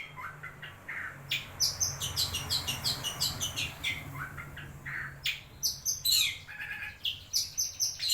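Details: Wewah bird recorded as bait to get a silent shrike singing: clusters of bright chirps and high, sharp notes over a steady low hum.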